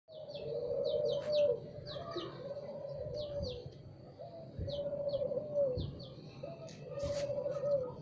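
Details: Spotted dove singing in the morning: soft low hollow coos in repeated phrases about every two seconds, under a busy layer of high thin chirps and twitters from other birds.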